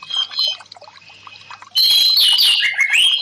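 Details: Caged orange-headed thrush (anis merah) singing, used for therapy when a stressed bird stops singing: after a quiet start, a loud rush of varied high whistled and warbled notes, some slurred downward, delivered rapidly.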